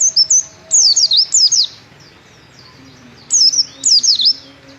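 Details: Lively white-eye song of high, thin, fast chirps in two-to-four-note bursts, with a quiet gap of over a second between groups; faint low hum behind.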